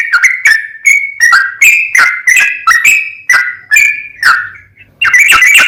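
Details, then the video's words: Sooty-headed bulbul, 'gacor' training song: loud downslurred and level whistles, each starting with a sharp snap, spaced a little more widely, around two per second, ending in a quick jumbled burst. "MASTERAN BURUNG TRUCUKAN GACOR FULL ROPEL, BIKIN TRUCUK LAIN LANGSUNG NAIK EMOSI DAN GACOR"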